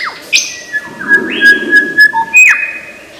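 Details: Mimicking lyrebird of Australian forest, giving long clear level whistles that step between pitches, broken by short sharp rising notes and a brief higher whistled phrase.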